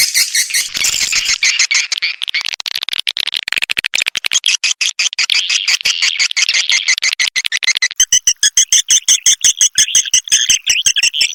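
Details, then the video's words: Swiftlet lure sound of Indonesian origin, combining outer and inner (lullaby) calls, played to draw swiftlets into bird houses: dense, rapid high-pitched chirps and clicks, fast and uneven, turning into sharper clicking twitters near the end. "Âm thanh gọi yến"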